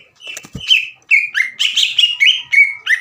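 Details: Greater green leafbird in aggressive fighting song: a short burst of chatter, then a rapid run of sharp slurred whistles repeated several times per second, with a faint click.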